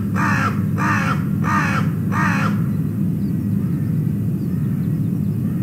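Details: Ravens calling loudly at an osprey nest in Wales as the male osprey flies off, recorded by a nest camera: four harsh, hoarse croaks in quick even succession over about three seconds, over a steady low rumble of wind or hum.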